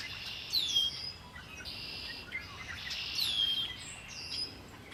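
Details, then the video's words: Several birds singing by Lake Erie, with clear descending whistled slurs near the start and again after three seconds, set against high buzzy trills and short chirps. "Birds singing by Lake Erie"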